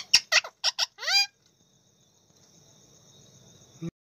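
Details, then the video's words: A pet talking Indian ringneck (rose-ringed) parakeet in a large cage utters five quick, harsh, word-like syllables in about a second, the last sliding upward, then near silence with a faint steady hum. "Talking Paerot video|Ringneck Paerot"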